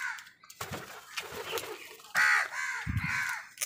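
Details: Crow squabbling with wild birds for food gives loud, rasping caws, two strong ones near the end, amid thumps, flapping and other birds' calls.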